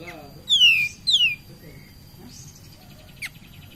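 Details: Cream-vented bulbul lure song to excite other birds: two loud descending whistled slurs close together, followed by faint brief notes and a short sharp click.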